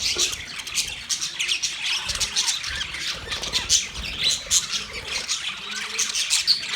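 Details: Several budgerigars, dated November 19, 2023, chattering in a dense, continuous mix of high scratchy chirps and squawks, busy throughout with small bursts of louder notes and no clear pauses.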